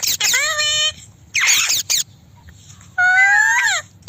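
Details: Pet Indian parrot, talking and kissing. A sustained tonal squawk with rich harmonics is followed by a broad, harsh screech. After a pause comes a loud wavering nasal call that falls at its close.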